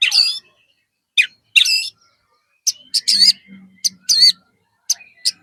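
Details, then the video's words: Male white-rumped shama singing loudly with a mimicry-filled repertoire, played as a lure to get other shamas singing: varied harsh, squawking and warbled high notes in separate bursts, with faint low murmuring between. "MURAI BATU GACOR ISIAN"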